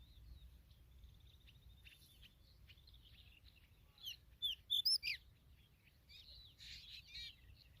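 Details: Familiar chat mother near her newly hatched chicks: faint thin high notes, then a loud cluster of quick, sharp, squeaky chirps midway, and softer buzzy twitters at the end.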